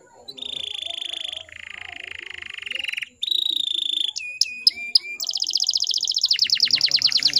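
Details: Female canary sound used to prompt male canaries to sing: long, steady whistled notes held for over a second each, then a few sharp high chips, then a rapid, ringing trill that speeds up toward the end.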